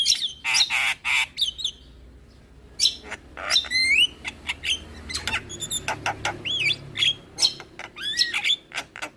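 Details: Lure song of a Javan myna, full of fill-in phrases: harsh rasps, a short silence, then looping whistled notes, upslurs and clicking chatters in irregular sequence.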